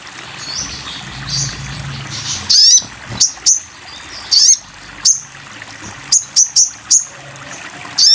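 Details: Sogon bird song for masteran: soft high notes, then loud sharp upslurred chirps at irregular intervals, with a small cluster of quick notes late on, against low background rumble.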